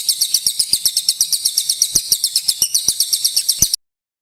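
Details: Sunda warbler song used for training magpie-robins: a continuous, very high, dense chattering trill of quick repeated notes, with faint clicks underneath, ending abruptly.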